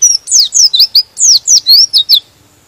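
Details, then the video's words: A white-eye (pleci) pours out a fast sequence of about ten bright, high chirps, mostly descending slurs with a few rising ones, a song said to excite rival birds. "Suara Pleci ini bikin Pleci Lain Emosi dan ikut Gacor"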